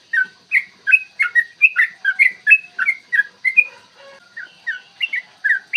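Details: Morning recording of a yellow-vented bulbul singing a long 'ropel panjang' fighting song meant to provoke rivals: a dense run of liquid, slurred whistles, rising and falling, that pauses briefly and then resumes.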